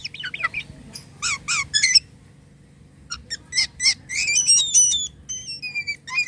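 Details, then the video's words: Jalak kapas starling singing with unusual sounds: scratchy ticks and short harsh notes, then thin, level high whistles at the close, over a background hum. "jalak kapas gacor corr suara aneh"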